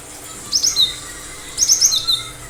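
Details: Cinereous tit giving two short, bright phrases, each a few rapid high chips followed by lower slurred notes, about a second apart.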